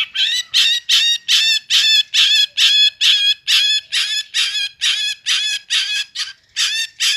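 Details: Long-tailed shrike repeating harsh, ringing notes at a regular pace of about two per second, each rough and layered, in a steady run with a clean background.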